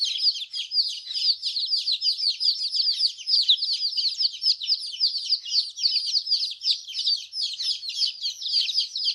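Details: Baby chicks cheeping in a dense flock, sharp high notes repeated rapidly and overlapping, steady intensity with nothing else audible.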